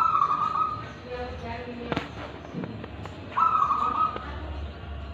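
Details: Local wild-type zebra dove in Tulungagung, voice described as Kristal and Ulem. One trilled coo phrase opens the recording and another follows about three seconds later, with sharp clicks and knocks in between.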